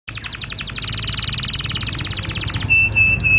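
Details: Canary song for mating and for stimulating other canaries: a fast, even rattling trill of rapidly repeated notes, then three short pure whistled notes, over a low background rumble.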